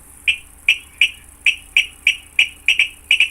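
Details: A Virginia Rail song, played as a survey playback for Minnesota marsh bird surveys: sharp, clicking 'kid' notes about three per second, some paired near the end, over a faint low hum; a Sora is possibly audible in the background.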